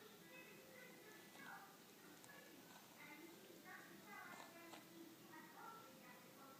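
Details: Pet budgerigars relaxing and playing chatter in a busy stream of squeaky, warbling notes and short clicks.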